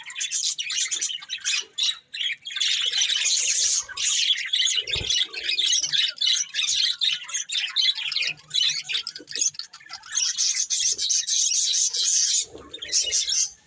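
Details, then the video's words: Several budgerigars chatter continuously while eating, layered high-pitched warbles and scratchy chirps with brief dips, plus a soft thump near the fifth second. "Beautiful Budgies Singing and Eating | Love Birds Chirping Sounds"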